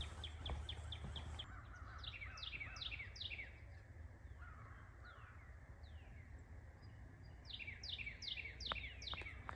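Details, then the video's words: Carolina Wren on March 4 on an early-morning wetland boardwalk trail in forest, Garrett County, western Maryland, on a warm early-spring day, repeats bright, quick downslurred notes in rolling bursts; white-throated sparrows, song sparrows, titmice, cardinals and crows call over a low wind or traffic rumble. "So you can hear the Carolina wren doing that repeated series of notes."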